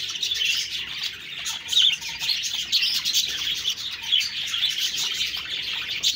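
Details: Steady budgie chorus of bright chirps, squeaks and chattering warbles, overlapping calls with a few louder notes standing out.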